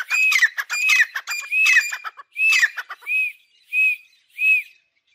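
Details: Grey francolin pair kept in a cage, calling loudly: four harsh, buzzy phrases, each ending in a ringing arched note, then three clean arched whistles spaced under a second apart before silence.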